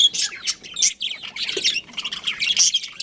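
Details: Pet budgerigar breeding pair giving a busy stream of high, scratchy chirps and short squawks, irregular bursts of bright chatter with brief pauses and no other clear sounds.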